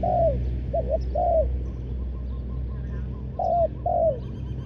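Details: Decoy spotted dove luring wild doves, giving a short burst of mellow falling coos, then a pause and two more coos over faint rumbling background.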